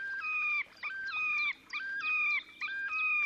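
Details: Terek sandpiper displaying in the Oka Nature Reserve, Russia, late April 2019: bright, resonant whistled notes, each rising in a step and held, repeated rhythmically about once a second over low background hiss.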